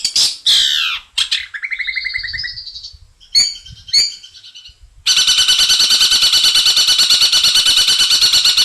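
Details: 'Isian mantan' song of a long-tailed shrike (cendet): sweeping squeals and short buzzy phrases separated by pauses, then a long, unbroken, rapid grating rattle.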